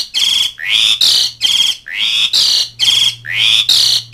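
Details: Calling to mates and rivals, an Asian pied starling gives rhythmic harsh, rising rasping notes, about eight in four seconds, over a faint low hum.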